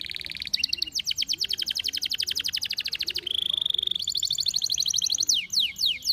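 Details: Canary in strong breeding condition singing a fast, varied song: rapid buzzy trills repeated several times a second, a sustained high rattling roll, then sweeping downslurred whistles near the end.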